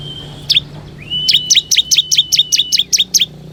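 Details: Ciblek kristal lure song meant to call in wild bar-winged prinias: one sharp chip over a level whistle, then a long fast train of about twelve bright, downslurred notes riding a sustained high whistled tone.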